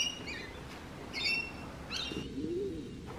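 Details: Rainbow lorikeet with three short rasping screeches spaced about half a second apart, each a brief harsh burst, against a low rumbling background.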